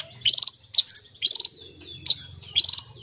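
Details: Long-tailed shrike song meant as therapy for silent, sluggish shrikes: five high, whistled, slurred phrases, each rising then sliding down, spaced roughly half a second apart over a low hum.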